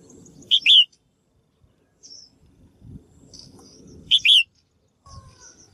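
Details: Female bird calling to stimulate males to sing actively: two loud, bright chirped phrases with sharp upward flicks about three and a half seconds apart, softer high notes between, and faint low rumbling background noise.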